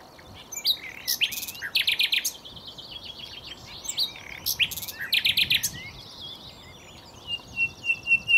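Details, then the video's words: Recorded close up at Cowpen Bewley, a common nightingale sings loud, varied phrases: rapid staccato rattles, pure whistled notes and churring trills, with a sweet rising whistle near the end. "Nightingale singing"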